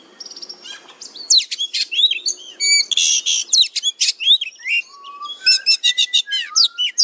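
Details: Oriental magpie-robin fighter-style training song: soft opening notes build into loud rapid chattering bursts, buzzy rattles and quick repeated chips, with a few low whistled slurs.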